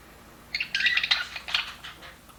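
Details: In a happy budgie aviary, a quiet background gives way to a brief burst of bright, fast chirps and a short warbled phrase lasting about a second and a half.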